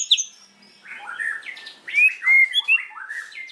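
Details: White-rumped shama singing loud learned phrases in the afternoon: a jumble of slurred whistles and harsher chattering notes with some clear rising whistles.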